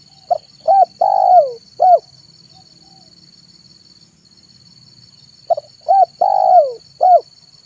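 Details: Zebra dove, a lure bird, singing in the afternoon: two clear phrases of short cooing notes, a quick pair, a long falling rolled coo, then a final note, about four seconds apart, with a steady high insect-like hum behind.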